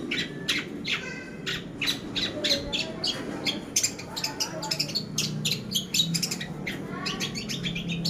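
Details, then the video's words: Cendet pastol, a long-tailed shrike, in a training lure: busy chatter of sharp high chirps and brief whistled notes, irregularly spaced, with a low murmuring background. "Pancingan Burung Cendet Pastol"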